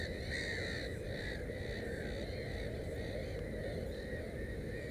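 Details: At a nest with three chicks, a Black-headed gull gives several rasping, slightly falling calls in the first two seconds, then fainter ones, over a steady low-frequency hum.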